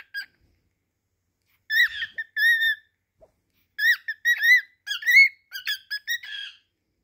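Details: Misha the pet cockatiel sings to a towel: a bright, warbling string of whistled notes with short squeaky chirps.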